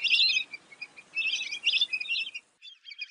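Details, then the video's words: Lesser whistling duck twittering: quick high squeaky whistles in short bursts over faint background noise, briefly cut off before resuming. "Lesser Whistling Duck Call"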